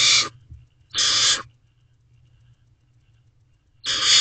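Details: Barn owl owlets waiting for food in a nest box at night, May 2023, one grooming the other; three noisy, breathy screech-hisses, with a long silence before the last one.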